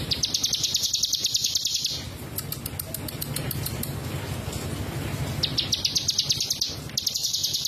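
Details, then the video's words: Mountain prinia (ciblek gunung) song: fast, evenly repeated high ticking notes in sustained runs of about two seconds, pausing and then resuming, over a constant loud noisy hiss. "Suara burung ciblek gunung"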